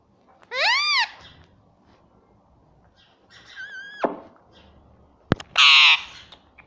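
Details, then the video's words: Pet rose-ringed parakeet imitating speech such as "mummy": an arched harmonic call, a later falling note, then a sharp knock and a loud, harsh, noisy squawk indoors. "Talking parrot || talking parrot mummy papa || bolne wala tota"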